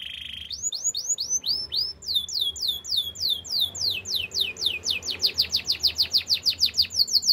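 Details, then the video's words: Canary gives a brief trill, then long runs of curved whistled notes that speed up into a rapid series of steep downslurs, about three per second. "Bird sounds canary chirping"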